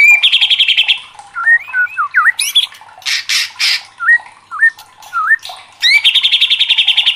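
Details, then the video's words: White-rumped shama, a competition songbird said to be riled up, opening and closing with fast rattling trills, with twisting whistled notes and harsh buzzy bursts between. "DIJAMIN MURAI LANGSUNG KOAR-KOAR TERSULUT EM0SI | murai batu gacor | shama bird"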